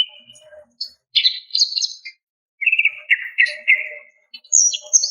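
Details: A female greater green leafbird calls for a male, giving clusters of sharp, high chirps and buzzy trills in two main bursts, the second lower and more drawn out, ending with thin high whistles.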